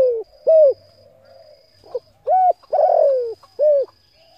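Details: Spotted dove calling to stimulate and attract decoy birds: a series of short, mellow, low coo notes with a longer sliding coo in the middle, and a faint steady high tone behind.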